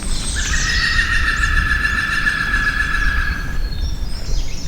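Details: European green woodpecker recorded with a parabolic microphone amid Vendée marsh and bocage, France: a fast, ringing run of laughing notes lasting about three seconds, falling slightly in pitch, over steady low wind rumble.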